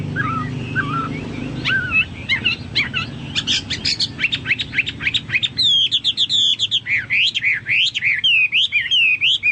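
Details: Chinese hwamei song: soft low whistles at first, then a dense series of sharp clicking notes, giving way to loud looping whistled phrases that rise and fall rapidly.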